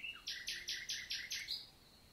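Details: Common nightingale singing by day on a summer morning, 11 June 2023, countryside forest in the Célé valley, Lot, southern France: a rapid series of six loud, repeated broadband notes ending in a thin sustained whistle.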